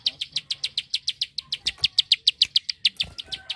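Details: Bar-winged prinia delivering crisp, sharp high clicks in a quick regular series, around six per second, used to tutor competition songbirds; soft low thumps and a faint tone in the background.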